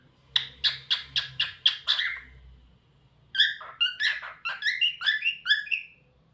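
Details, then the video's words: Singing pet cockatiel: a rhythmic series of six sharp, evenly spaced chirps, a short break, then a faster tumbling run of bright whistled, slurred notes. "Cockatiel Talkative Bird 🐦 Rio Nice Singing"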